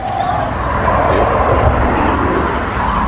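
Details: Steady roar of passing vehicles with faint speech, and no animal voice anywhere.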